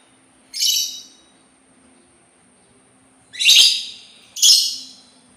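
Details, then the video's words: Sultan tit uttering three loud, scratchy, broadband calls, a single one first, then a close pair after a pause of about three seconds. "suara burung labet Sultan"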